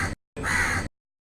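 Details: Crow calling from a tree: a short harsh caw, then after a brief pause a longer, hoarse, drawn-out caw, both rough and broad-toned with no other sounds.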